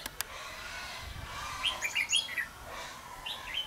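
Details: Red-whiskered bulbul during trapping, 5 November 2016: two clicks at the start, then a brief run of bright whistled chirps in the middle and a softer phrase at the close.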